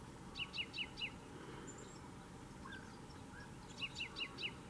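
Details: In June at Fontanales, Gran Canaria, a canariensis common chaffinch sings two bursts of four rapid, clipped, falling notes, one at the start and one at the end, with softer bird calls and a low hum between.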